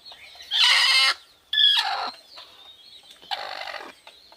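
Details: Local desi chickens on a low-cost farm: three loud, harsh, harmonic squawks about half a second each, separated by short pauses, with faint high peeping in between.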